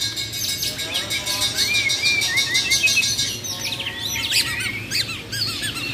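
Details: Bornean white-rumped shamas, champion contest birds singing besetan and tembakan styles, give rising and falling whistles, then quick chatter and sweeping high notes over a steady hum.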